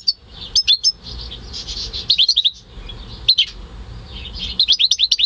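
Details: Captive-bred goldfinch × canary hybrid in May 2015, giving scattered short bursts of high, quick chirps and twitters separated by soft, hissy pauses, with a faster cluster of notes at the end.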